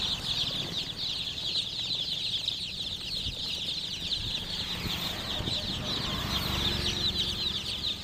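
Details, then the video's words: A flock of chicken chicks making an unbroken wash of shrill, quick chirps, many birds calling at once, with faint low-pitched background noise and soft rustling. "MURGI CHICKS CHIRPING SOUNDS"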